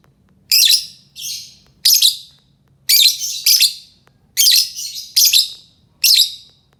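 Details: Lovebird calls used to lure other lovebirds: harsh, high, screechy chirps, each about a third of a second, in irregular bursts of one or two, with quiet gaps between.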